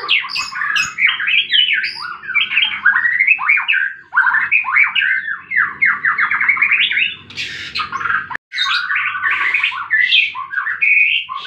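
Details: White-rumped shama singing while fighting, played to stir quiet birds into song: a long, dense stream of quick slurred whistles and chattering notes, with a brief break near the end before it resumes.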